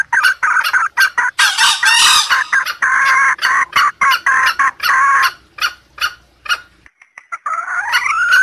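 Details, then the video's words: Junglefowl sound used to lure wild junglefowl: loud, fast clucking calls, about four a second in uneven bursts, ending with a rising, drawn-out call. "pikat ayam hutan pake suara ini"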